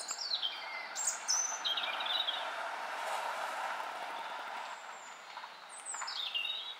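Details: A European robin at home in Ljubljana, Slovenia, on 20 October 2023, sings thin, high, wavering phrases with short pauses between them, over a steady hum of distant traffic.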